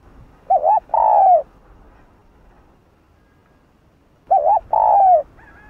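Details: Spotted dove, 'Hạp Bổi' voice, giving calling, urging and soft coos to provoke other doves: two phrases about four seconds apart, each a quick double hoot then a drawn-out descending coo, with quiet pauses between.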